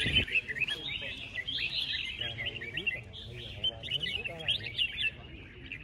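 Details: Caged Red-whiskered Bulbuls at a start-of-year songbird competition with 36 cages entered: many birds overlap in bright, chattering, warbled phrases, with murmuring voices of people underneath throughout.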